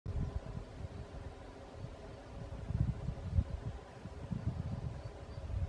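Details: Low, uneven rumble of wind or distant traffic with soft rustling and no animal voices.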